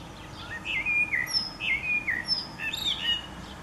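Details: Common blackbird in song on 29 April 2019, delivering continuous mellow warbled whistles in quick succession, each phrase capped by thin, very high squeaky notes.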